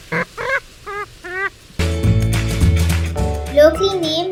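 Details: A Purple Swamphen in Sri Lanka gives four quick nasal, honking squawks, each bending up then down, about two per second, before music takes over for the rest.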